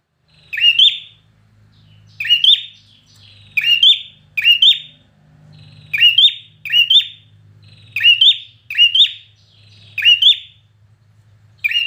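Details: Fiery competition singing from a trained red-whiskered bulbul: about ten crisp, high whistled bursts, each a quick rising twist, delivered in irregular clusters over twelve seconds. A faint low hum runs in the background.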